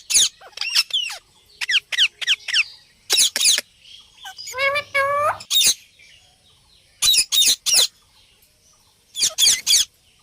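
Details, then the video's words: A parrot talking and making sounds gives clusters of sharp, harsh squawks in groups of two to four, with a mid-clip drawn-out wavering harmonic vocalization resembling speech. "parrot talking and making sounds"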